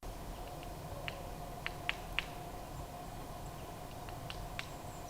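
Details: Nuthatch in English woodland in March, with a nut wedged into a gap in a tree trunk, hammering to break it; sharp, dry taps at irregular intervals, slower than a woodpecker's, a few close together, over a steady background hum.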